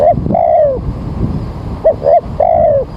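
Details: Spotted dove cooing early on a drizzly morning, used as a lure for bird trapping: two short cooing phrases, each a brief double note followed by a longer, slightly falling coo, over low background rumble.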